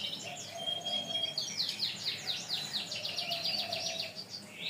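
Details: Canary song from a long tutor recording for training birds, opening with a pure sustained whistle and then quick rolling trills of repeated high notes, over a low background hum.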